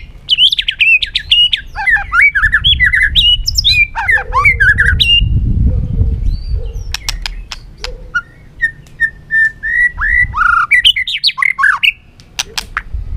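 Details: Fired-up white-rumped shama, caged and running on its cage floor, singing to provoke other birds into competitive singing: loud varied whistled phrases with sharp clicks and rising and falling notes, a low rumbling noise in the middle.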